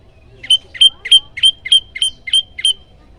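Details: Prinia called prenjak lumut or ciang ciang, loud 'tembakan' song for training birds: eight rapid, identical high chirps, each a short rising flick ending in a ringing whistle, about three per second, on a quiet background.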